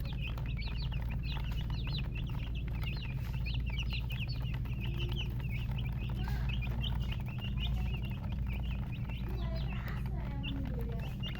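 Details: Many chicken chicks cheep continuously in high, short, rising and falling notes, with some lower, rougher calls mixed in toward the end and a constant low hum.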